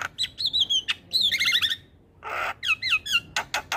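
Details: Javan pied starling morning song meant for young starlings to copy: wavering high whistles and chattering notes, a short pause, a harsh rasping burst, then more looping whistles and clicks.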